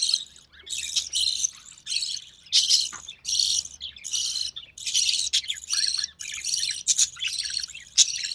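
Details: Recessive pied budgerigar chick, born early June 2020 to a white recessive pied male and albino red-eye female, calling during a feeding by its mother; loud harsh rasping bursts repeated roughly every half second, noisy and insistent throughout.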